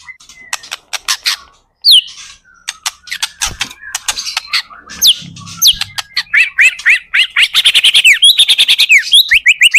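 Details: White-rumped shama song meant to trigger other shamas to sing: sharp clicks and scattered whistles building into a fast rhythmic series of repeated chirping notes.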